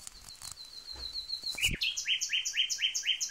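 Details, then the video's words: A common nightingale sings a fast run of thin, high notes, then a single sharp click and a series of loud, rich double notes repeated about four times a second. "Nightingale's sound & song"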